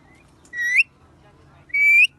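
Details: Parrot chirping: two short rising whistled chirps about a second apart, each clear and bright with faint overtones above, over a quiet background.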